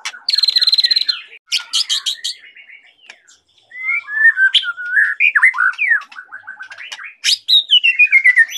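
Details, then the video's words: White-rumped shama of the Medan type in vigorous song: a rapid buzzy rattle opens, followed by sharp high notes, mellow whistled slurs, a brief fast chatter and a long descending whistle at the end. "Murai batu gacor goyang patah patah"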